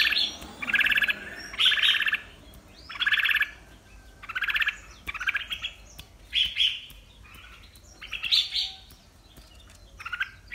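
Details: Breeding red-whiskered bulbul in fighting song: bright, bubbling, whistled phrases about every one to two seconds, with short pauses between bursts and quiet background hiss.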